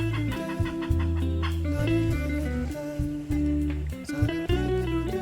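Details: Only guitar-led instrumental music plays, with sustained bass notes and strummed chords, and no animal calls stand out.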